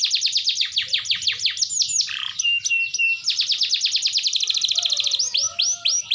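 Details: Kept canary in constant song, used to prompt canaries that rarely sing: fast repeated downward-swept trills, a short steady whistled note near the middle, then rapid buzzy rolls and looping whistles.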